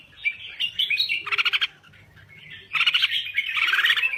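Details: Thai red-whiskered bulbul in full song: chattering warbled phrases and quick trilled notes, then a short quiet gap before a fresh outburst of fluty, tumbling song.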